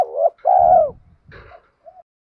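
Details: Spotted dove call for training and luring other doves. A short coo is followed by a long, strong, level-then-falling coo. A low rumbling thump sounds under it, then a brief higher scratchy sound and a soft final note.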